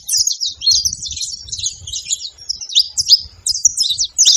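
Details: Saffron finches calling at a feeder, several birds at once producing bright, high-pitched chirps and quick slurred notes in a busy, jumbled stream, over soft low-pitched background knocks.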